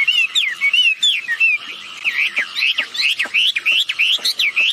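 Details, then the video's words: Wambi birds, a male and a female, recorded so other birds will join the calling; bright wavering whistled notes repeated quickly, each looping up and down, with faint clicks beneath. "Suara burung wambi betina jantan gacor || mantap pancingan agar ikut bunyi"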